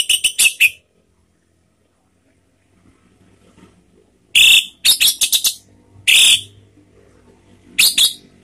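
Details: Orange-headed thrush producing bursts of rapid, strident grating notes with a whistled core, clusters separated by quiet gaps of one to three seconds, a faint low hum beneath.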